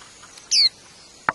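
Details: Wild white-eye at its nest while feeding its young: one sharp, thin, high call sliding steeply downward, then a single soft click against a quiet background.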